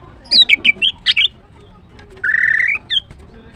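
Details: Female greater green leafbird in morning song: a quick series of high squeaky chirps, followed by a drawn-out buzzy rising note and a final short chirp.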